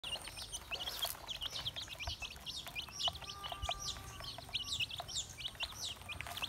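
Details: Baby chicks feeding give a dense chorus of high, thin peeps. Short downward-sliding notes overlap continuously from many birds, with a few soft clicks and taps beneath.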